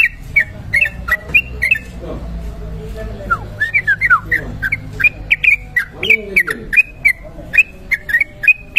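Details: Long unbroken 'ropel' song of a sooty-headed bulbul for luring: quick chains of bright whistled notes, bent and slurred, tumbling almost without pause, with faint lower murmurs in the background.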